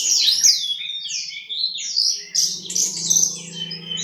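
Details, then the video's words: Busy East Javan Horsfield's bushlark song: quick high slurs and chattering notes over a faint low steady hum. "Branjangan Jatim 10 rajin Kicau"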